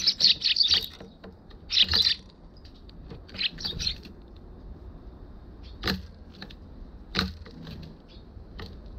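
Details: Eurasian tree sparrows at a balcony, 1 December 2021, GoPro HERO6; two loud bursts of harsh chirping at the start, then scattered fainter notes and several sharp clicks or knocks.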